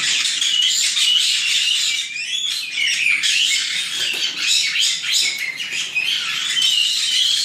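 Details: Chatter of nine white-bellied caique babies kept in an aviary near Dallas, Texas, a continuous loud wash of harsh, scratchy squawks with occasional thin whistled notes running through the whole stretch.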